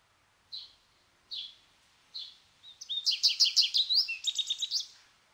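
A goldfinch gives three soft, evenly spaced call notes, then breaks into a fast, bright twittering song of tinkling, buzzy phrases.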